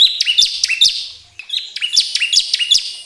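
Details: Bar-winged prinia song, played to encourage caged birds to sing: quick, repeated high chirps with slurred, whistled downward notes, in two short bursts.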